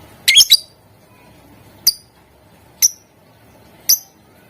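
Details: Lovebird lure recording to make other lovebirds sing: a harsh doubled burst, then three single sharp high chirps about a second apart, in a quiet room.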